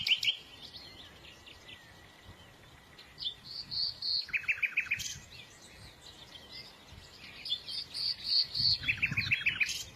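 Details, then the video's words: Small birds singing: high chirps and bright whistled notes mixed with rapid buzzy trills that recur in bursts, several birds overlapping against a faint low background rumble. "تغريد العصافير"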